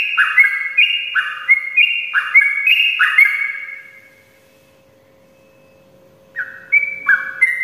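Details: Sooty-headed bulbul singing in the morning: four quick bursts of stepped, whistled notes, then about two seconds of silence, after which the fast whistling resumes; a faint hum runs throughout.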